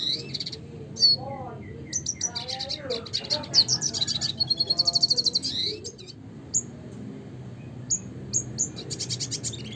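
A red siskin sings a fast, busy twittering song of high chirps, buzzy trills and a rapid run of repeated notes, with a low background hum.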